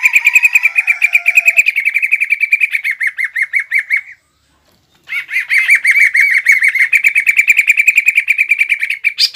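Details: Loud greater green leafbird fighting song with mimicry, used to provoke another leafbird. A long rapid trill of buzzy, evenly repeated notes runs for four seconds, breaks off briefly, then resumes just as fast and strong.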